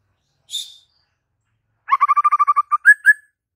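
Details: White-rumped shama: one sharp high note, then after a pause a dense, rapid stuttering trill that ends in two loud upslurred whistles.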